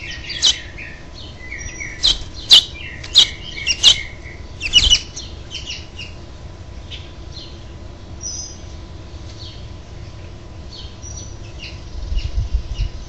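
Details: House finches on 6/12/07, a parent coaxing the last nestling out: a loud cluster of sharp, ringing chirps over about three seconds, then near quiet with faint distant tweets and a few closing chips.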